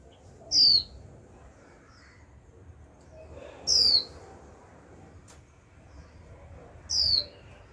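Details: Caged young female white-eye giving steady 'chíu' calls to spur a male to sing. Three sharp, high, descending whistles roughly every three seconds, a brief click between them, and low background noise.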